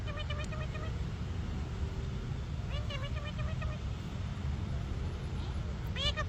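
An Alexandrine parakeet gives three bursts of nasal, rasping notes, each a quick run of repeated syllables, over a steady low rumble of traffic.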